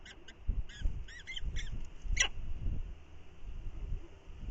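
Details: A falcon pair at the nest on a windy morning, with the female arriving to take over incubation from the incubating male. A rapid series of high, clipped chipping notes fills the first two seconds, then gusting wind noise continues.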